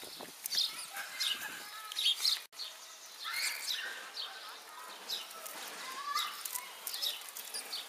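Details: Hungry house sparrows flock in at a zoo table after one is fed, giving rapid, overlapping high chirps and cheeps with fluttering wings and a faint murmur of voices behind.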